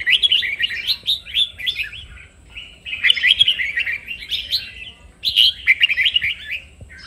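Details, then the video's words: Chào mào, the red-whiskered bulbul, in song training to build a vigorous competitive voice. Three lively, chirpy warbled phrases, each lasting one to two seconds, are divided by short pauses. "Luyện chào mào hót| Chào mào kích bổi-KÍCH BỔI CĂNG ĐÉT DỄ CHÉ.sổ giọng, Cách luyện chào mào hót"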